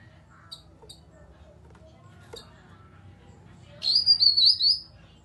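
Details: Grey-cheeked bulbul lure call meant to spur quiet birds into song: scattered faint high ticks at first, then a loud, high, wavering whistle that rises and falls several times over about one second near the end.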